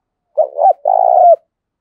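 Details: Spotted dove song used to stimulate and train decoy doves: one phrase of two quick, bouncing notes followed by a single long, even coo that falls slightly at the end.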